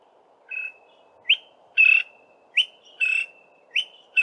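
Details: Male Greater Honeyguide giving its 'VIC-tor' call from a tall pine tree; clear whistled two-part notes, a short burst then a longer level whistle, repeated roughly every 1.2 seconds in a clean sequence.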